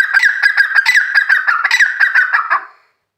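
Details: Kept grey francolin calling loudly at close range: a fast run of harsh, ringing notes, about three per second, steady in pitch for under three seconds before stopping abruptly, followed by silence.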